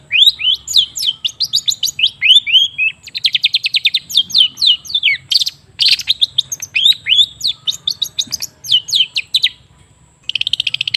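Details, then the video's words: Long-tailed shrike song meant to stimulate a silent bird: varied run of slurred whistles and downward-sweeping squeaks, then fast rattling trills, one brief pause near the end before another quick rattle. "Suara TERAPI pancingan cendet macet supaya rajin bunyi..!!!"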